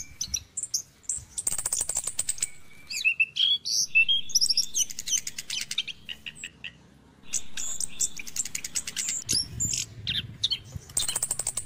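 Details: Orange-headed thrush singing in the morning, a recording for stirring caged birds to sing: rapid varied high phrases mixing buzzy rattles, sharp chirps and short whistles, with a brief quiet gap midway and low background rumble.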